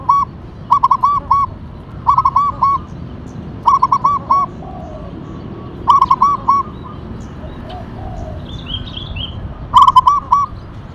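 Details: Lively local zebra dove, Tumbak Cucukan katuranggan type, delivering five phrases of quick bubbling coos about every two seconds, each a short cluster of four or five notes, with faint chirping of other birds behind.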